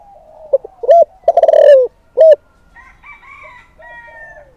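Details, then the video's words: Lure call of a spotted dove for provoking males: loud hollow coos opening the clip, a stuttering extended coo, one more coo, then thin high whistled tones fading out. "Cu Gáy Mồi Thúc || Gáy Gọi Kích Bổi Mới Nhất"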